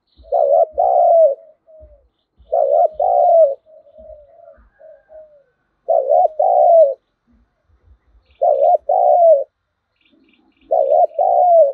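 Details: Lure spotted dove calling to provoke wild birds to fight: strong paired coos, a dipped note then a longer falling one, repeated about every two and a half seconds, with soft trailing coos in the gaps.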